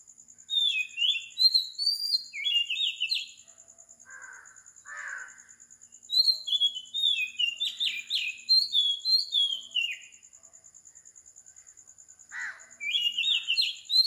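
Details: Oriental magpie-robin recorded at 4 am in Sri Lanka, giving bursts of rich whistled phrases broken by short pauses and a few lower, harsher notes, over a constant high-pitched pulsing drone.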